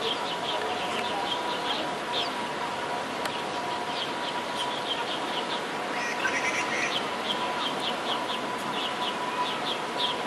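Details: A family of common moorhens foraging give thin, high peeping notes scattered irregularly, over a steady low hum and constant background hiss.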